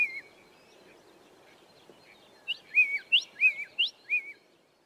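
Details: Grey tit (Melaniparus afer), a dry-land bird, singing at Smaldeel: a quick run of clear, high whistled notes, each bending up then down, about three a second, over a faint low background murmur.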